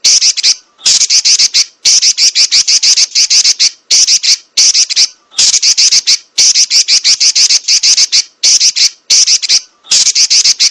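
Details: Female Oriental magpie-robin giving harsh, buzzy chattering calls in rapid rattling bursts of one to two seconds, separated by short pauses, loud and continuous.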